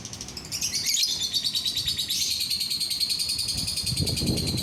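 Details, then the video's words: Steady lovebird song: dense, shrill chatter of fast repeated notes, sliding slightly in pitch, with a low rustle in the background. Used to prompt other lovebirds to join in singing. "DENGAR SESAAT SAJA, bikin lovebird yang lain ikut bunyi"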